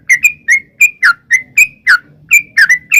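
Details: Lure recording of a gacor sooty-headed bulbul, meant to draw wild birds into answering. About eleven bright chirping notes come in single and doubled beats, some slurring downward, over a faint low hum.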